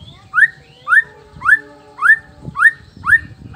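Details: Male white-rumped shama of the black-tailed Nias form, singing to provoke rivals: a rising whistled note repeated steadily about every half second, with soft steady tones in the background.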